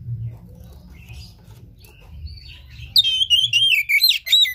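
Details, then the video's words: Oriental magpie-robin song meant to provoke a silent caged bird short of breeding condition into singing: quiet faint notes first, then a burst of loud, rapid warbled whistles in the final second and a half. "Pancingan KACER malas bunyi macet kurang birahi"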